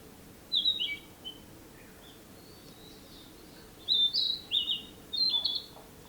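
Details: Singing Narcissus flycatcher, 2017: a short whistled phrase early on, a long pause, then a livelier sequence of high, slurred whistles and trills repeated in quick groups, set against soft steady background hiss.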